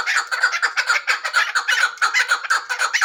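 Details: Hybrid chukar partridge calling: a rapid, steady run of harsh, clucking notes of middling pitch, roughly two per second, each note short and chopped, with no other sounds standing out.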